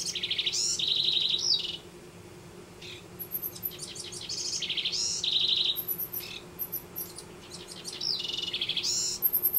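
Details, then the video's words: House wrens nesting in a backyard in Denver: loud, bubbly bursts of rapid trilled and chattering notes, each phrase lasting about a second or two and separated by short pauses, with a steady low hum behind. "House Wrens Nesting"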